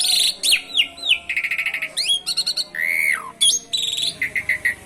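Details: Asian pied starling (jalak suren) singing gacor with canary phrases mixed in, a training recording to prompt other birds: fast varied medley of downslurred whistles, rapid buzzy trills, a long falling whistle and sharp chirps.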